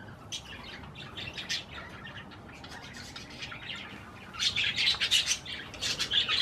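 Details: Budgerigars eating cherry tomatoes give soft chatter at first, then a loud burst of rapid scratchy chirps and warbles toward the end.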